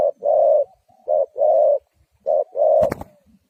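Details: Ground lure spotted dove used to trap wild doves repeats a short-then-long coo pattern twice, with a sharp click breaking in near the end.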